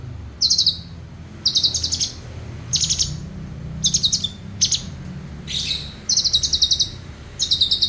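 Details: Cucak cungkok singing: short, high, rattling trill bursts repeated about every second and a half, some slurred, over a low hum. The species is kept as a song tutor for other birds and can copy other species.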